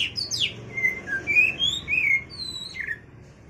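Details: An Oriental magpie-robin calls out to a rival with a short run of clear whistles, some rising and some falling, that open with a quick high downslurred chirp and end on a dropping note, over a faint low hum.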